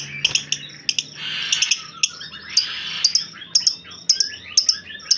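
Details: White-rumped shama kept as a master tutor bird, grumbling instead of singing: sharp high clicks repeated irregularly, mixed with short buzzy sweeping notes and a brief hissing burst.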